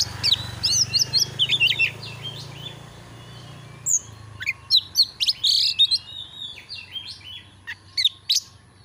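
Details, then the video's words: Oriental magpie-robin song played to rouse birds into display. Rapid high whistled and chirped notes come in clusters over a steady low hum, about four notes a second, with a brief lull before a renewed burst. "Masteran burung Kacer AUDIO JERNIH BUAT ANGKAT EMOSI AGAR CEPAT ON NGOBRA,Kacer gacor"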